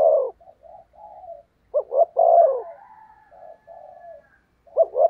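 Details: Decoy spotted dove calling to lure wild doves: a long coo, soft quieter murmuring notes, another full two-note-and-coo phrase, then the start of the next.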